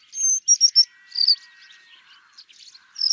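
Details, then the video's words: Pale-crowned Cisticola, one of southern Africa's five cloud scraper cisticolas, giving thin, very high notes: a drawn whistle, three quick high chips, then a buzzy high phrase, with faint insect-like trilling beneath. "The Pale-crowned Cisticola, one of the 5 cloud scraper cisticolas of southern Africa"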